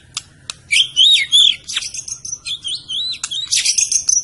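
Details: Medan white-rumped shama singing: clear, looping whistled phrases that swoop and warble, mixed with sharp high notes and short trills, loud and close.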